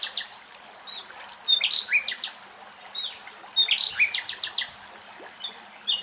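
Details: Nightingales singing in fields of Axios Delta National Park, Thessaloniki, Greece, in quick varied bursts: high sharp whistles, clicks and short rattling trills, broken by brief pauses; another bird chirps faintly behind.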